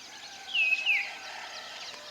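Common iora giving two quick, high whistled notes, each sliding downward, a fraction of a second apart, over a steady background hiss.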